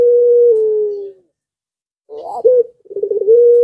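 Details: Puter pelung dove in breeding condition, loud and calling so that surrounding doves answer: a sustained low level coo fading down, a pause, then a rough rising note, a quick rolling burble and a steady held coo.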